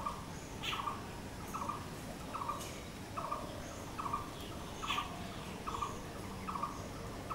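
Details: Blue-throated barbet (bosonto bouri) calling: a rhythmic series of about nine short, rolling mid-pitched notes, spaced under a second apart, with faint higher-pitched bird chirps and low rumble behind.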